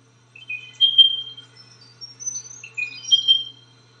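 A spotted pardalote gives thin, high, whistled notes in short phrases, repeated about two seconds apart against a quiet background.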